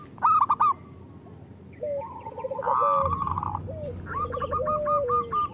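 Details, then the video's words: Local zebra dove cooing for prompting lazy birds to sing: stuttered notes, softer rolling coos, then a louder run of rapid notes, with a brief low hum partway through. "Perkutut lokal gacor Masteran Perkutut Suara Kristal"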